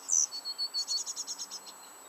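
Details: Coal tit at a garden nest box during chick rearing: one loud, very high squeaky note, then a fast run of about ten short, high pulsed notes that fade out toward the end.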